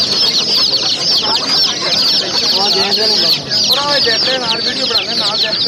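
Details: Many chicks peep shrilly and continuously. Midway through, lower wavering sounds join the steady high chirping.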